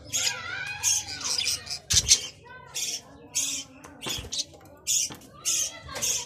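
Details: Australian bajri parrot, or budgerigar, giving rapid scratchy squawks and warbling chirps in short bursts about every half second, with a faint low hum behind.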